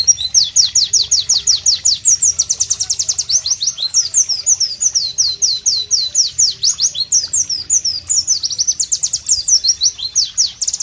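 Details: Pleci, the White-eye, in a long, loud, rhythmic song: tightly packed high piercing downslurred notes pour out several per second for over ten seconds, changing phrase type in places, with low faint background hum.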